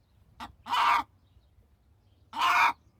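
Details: Chicken hen with a quick clipped note leading into a harsh squawk, then a second rasping squawk after a short pause.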